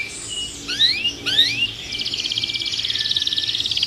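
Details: Canary stirred up in its cage: two rising whistled slurs, then a long, even, rapid rattling trill.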